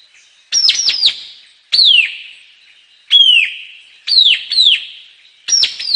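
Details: White-capped tanager singing: loud, clear whistled notes that drop sharply in pitch, given singly or in quick pairs and triplets about once a second, with short gaps of silence between bursts.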